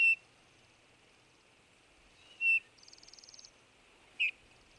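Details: Eurasian bullfinch calling with three brief piping whistles spread over several seconds, one of them sliding upward, and a faint rapid buzzy trill of about a dozen pulses between the second and third notes.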